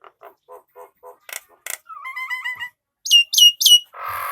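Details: Male Nias hill myna for training other birds: soft repeated short notes, then a whistled bubbling phrase, three loud high slurred whistles and a closing harsh rasp.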